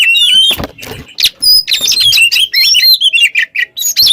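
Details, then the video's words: Oriental magpie-robin, a training model for other songbirds, giving a short burst of varied whistles and chips mixed with a few clattering knocks, ending in a descending series of notes. "GACOR burung KACER ngobra teler cocok buat pancingan MASTERAN"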